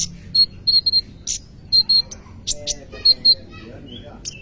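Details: Brown-throated sunbird giving full isian song as short, clear whistled notes in pairs and singles, separated by sharp high ticks, with quiet gaps between phrases.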